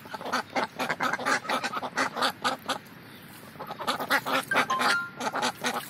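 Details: Several Indian Runner ducks in the morning, having fun. Harsh, raspy quacks tumble out about twice a second, with a short lull midway before the loud quacking resumes. A faint thin whistle sounds briefly near the end.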